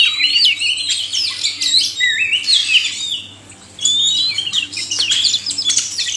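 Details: Oriental magpie-robin, male and female, chorus meant to spur lazy caged birds to sing: looping whistled slides and rapid chirps, a quiet gap of about half a second midway, then renewed sweeping notes over a low hum.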